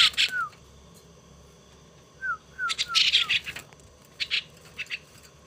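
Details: Young pet starling being tamed makes bursts of loud, grating calls, densest around the middle, mixed with short thin descending whistled slurs repeated several times in quick succession.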